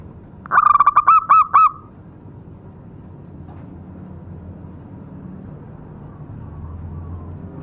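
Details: A single phrase of lure song from a local zebra dove: a quick burst of six staccato, fluttering coos ending in a brief held tone, then several seconds of quiet low hum.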